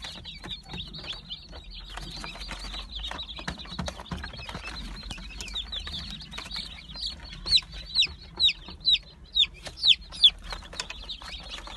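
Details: Light Brahma chicks, offered for sale, calling in a busy chorus of high, short peeps, with louder, clearer chirps repeated about every half second near the end.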